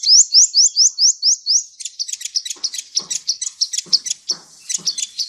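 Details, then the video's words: Sunbird song for training cage birds, opening with a rapid run of about seven identical rising notes, then breaking into a dense jumble of metallic high chirps and dry ticks. "Masteran Terbaik Kolibri"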